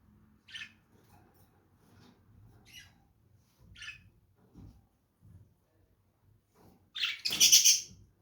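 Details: Lovebird calls: three brief, sharp, high chirps at spaced intervals, then a loud, harsh, raspy squawk near the end. Faint low knocks are heard in between.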